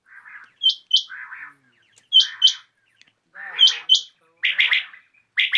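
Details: Common quail (batair) calling in the evening: soft low buzzy phrases alternate with paired sharp, high clipped notes, with pauses of about a second between groups.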